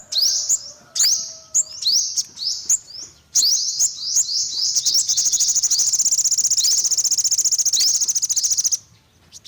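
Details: Olive-backed sunbird: a series of high, sharp upslurred chips, then a long fast even trill lasting several seconds before stopping abruptly.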